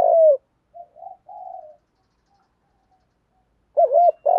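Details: Spotted dove used to lure and provoke wild doves: a loud long note, a few soft wavering coos, a silent pause, then a loud paired looping coo and the start of a drawn note.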